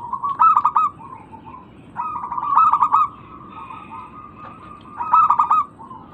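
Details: Lure recording of local zebra doves meant to overcome birds that stop calling: three rapid, rattling coo phrases on one mid pitch, joined by long drawn steady cooing, with a faint low hum beneath.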